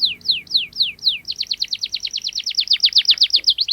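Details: Actively singing canary with a sharp roll, played to teach young canaries: five slow descending whistles, then a rapid, even trill of many downslurred notes that grows louder toward the end.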